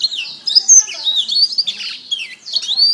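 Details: Canary master song for training songbirds: a continuous stream of high, warbling whistles with quick rising and falling slides, dense and unbroken throughout.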